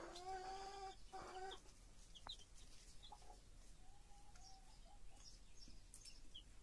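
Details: Broody hen with her chicks: two loud, nasal, sustained calls from the hen at the start, then quieter chick peeps and a few soft drawn-out low notes.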